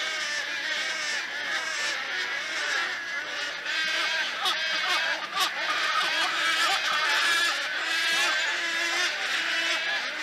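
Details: A dense, unbroken din of thousands of wood storks calling at once, a harsh, rasping roar that swells and eases without pause.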